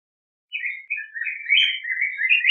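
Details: Yellow grosbeak singing a continuous, fluent warble of slurred rising and falling whistled notes, with no pause, against a clean, quiet background.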